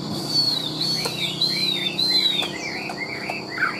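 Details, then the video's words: A tame, large-bodied Chinese hwamei, a strong loud singer, sings long, high, slurred whistles, then a run of quicker down-slurred notes repeated about every half second, over faint background hum. "Chim họa mi thuần - Bộ To - Hót hét rất tốt"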